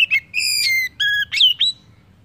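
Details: Oriental magpie-robin song meant to stimulate other birds to sing: a sequence of rich whistled notes, one long slightly falling whistle, a steady lower tone, then quick upward-flicked chirps.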